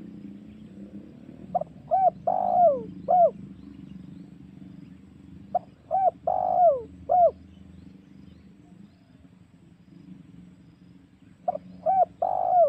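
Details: Repeated spotted dove cooing used as a lure for hunting wild doves. Phrases recur about every four to five seconds, each several short coos with one longer falling note, over steady low noise.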